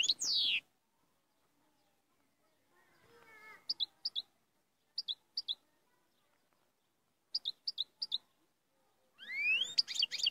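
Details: Moroccan royal goldfinch singing, with bursts of sharp high chirps in quick pairs and triplets separated by silences, a softer twittering passage, and rich warbled phrases at the start and end.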